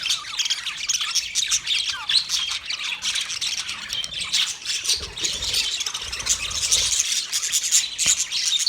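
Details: Steady clamour from a budgerigar colony numbering thirty pairs: rapid chirps, harsh squawks and warbling twitters from many birds at once, pulsing in waves, with faint low rumbling underneath.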